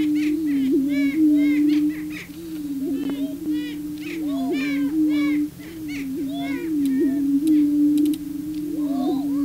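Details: Prairie chicken males on the booming grounds trying to attract a female: continuous low moaning booms layered with repeated cackling and chattering calls from several birds, plus a few sharp camera clicks.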